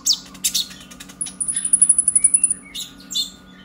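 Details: Young captive purple-throated sunbird with a brown breast, its lively song meant to stimulate other birds: a few sharp high chips, then a fast even trill of about fourteen very high notes, ending in more chips.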